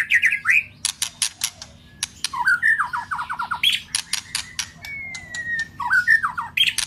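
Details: White-rumped shama singing to excite a rival or mate: loud sharp clicks and snapping notes mixed with short rapid trills and quick downward phrases, plus one long smooth falling whistle near the end.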